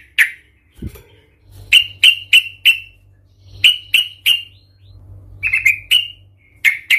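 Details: Sooty-headed bulbul calling in the provocative Tarung Garuda 'cuk cuk' style used to stir other bulbuls: sharp, clipped notes in quick groups of three or four, with pauses and a steady low hum.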